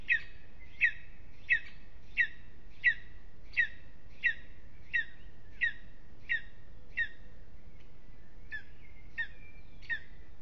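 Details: Lesser spotted eagle at its nest in an aspen at Aizkuja, Latvia, on a restless evening. It gives about fourteen sharp, high yelping notes, one every 0.7 seconds, pausing near the end before resuming, over faint steady background hiss.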